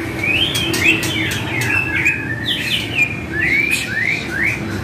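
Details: White-rumped shama singing on a calm track for caged birds to answer: rapid varied whistles with rising and falling slurs, bright clipped notes toward the end, over a steady low background drone.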